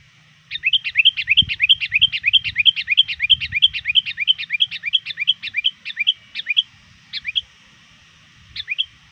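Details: Sooty-headed bulbul lure bird calling rivals before evening prayer time: a rapid run of about twenty bubbly, upswept notes, steady and fast, then a pause and a few spaced notes, with faint low thumps.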